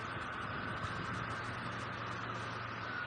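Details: Steady vehicle engine rumble and broadband noise, with no animal calls standing out.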